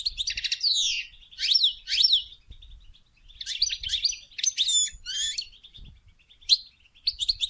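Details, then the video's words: Goldfinch song meant to stimulate mating, a lively run of quick rising and falling sweeps and liquid twitters in dense bursts separated by short pauses, high-pitched and clear throughout. "Song And Stimulating Goldfinch To Mate"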